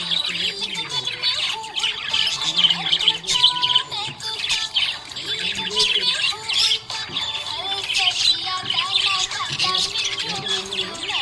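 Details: Budgie in a happy mood, chattering nonstop with rapid high chirps, squawks and short whistled notes, loud bursts rising and falling over several seconds.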